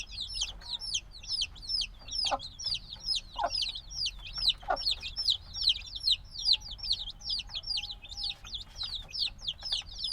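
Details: Days-old black chicks in a binaural field recording: a thick, restless chorus of high-pitched downward peeps from many chicks, never pausing, with scattered soft thuds and a faint steady tone in the background.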